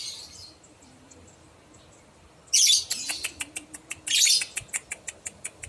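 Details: Lovebird call played to make other lovebirds respond: a faint screech, a pause, then a loud harsh burst followed by a fast series of clicking, ticking chirps and a second screech.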